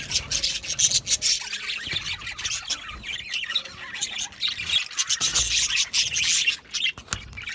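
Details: Australian budgies in noisy group chatter, sharp squawks and squeaky chirps mixed with warbling, notes crowding over one another in uneven bursts.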